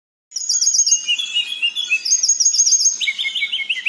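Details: Local Tledekan song, a long rolling performance used as a lure to get silent birds singing: fast repeated high chirping trills, series shifting between pitch levels, continuous and clean.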